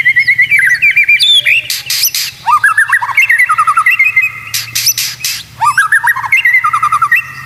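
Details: White-rumped shama master song for teaching other shamas: dense, varied phrases of short whistled notes, rapid chattering bursts and buzzy broadband notes, delivered loudly and almost without pause, with a faint low hum beneath.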